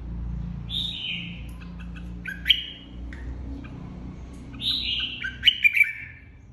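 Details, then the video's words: Caged red-whiskered bulbul, a flock leader newly separated from an aviary, singing in competitive style: two bright warbled phrases about four seconds apart, each a sliding whistle ending in sharp chirped notes, over a low background hum. "Chào mào đầu đàn mới tách avi ra ( chào mào hót đấu)"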